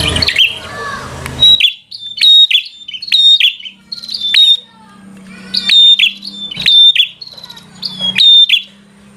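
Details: Bar-winged prinia in vigorous fighter-style song meant to provoke a rival, after a short noisy start: bright chirped notes near the top of hearing with sharp clicks, given in bursts about one second apart.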